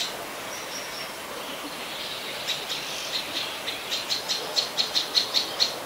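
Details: In Ubon Ratchathani, Thailand, on 12 February 2023, an adult Common Tailorbird (a common resident) gives sharp high notes that start soft and grow louder, repeated roughly three times a second.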